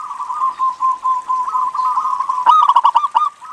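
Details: Local zebra dove in lively singing form, recorded for use as a lure to make other doves call: a steady, soft cooing line, then a fast staccato burst of clipped, rattling notes near the end.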